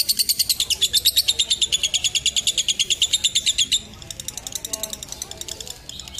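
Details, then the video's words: A lovebird gives a long, high, rattling chatter of rapid shrill notes, about seven a second, running nearly four seconds then continuing more softly; a long-chatter recording for training and mastering young lovebirds. "Pacingan Lovebird Ngekek Panjang Untuk Balibu dan Masteran"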